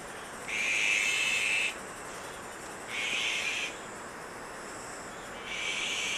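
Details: Azure-winged magpie chicks being raised at Maeji-ri in Wonju, Korea, give three rasping, hissy begging bursts, the first longest and each about a second or less, separated by short pauses, with a faint high-pitched insect hum behind.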